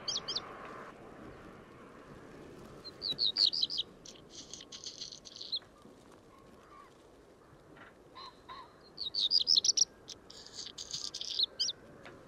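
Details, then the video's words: Black redstart at Portland Bill on 6 April 2021, giving two short song phrases of high whistled notes followed by a dry, crackling, scratchy burst, separated by several seconds of quiet with soft background hiss. "Black Redstart"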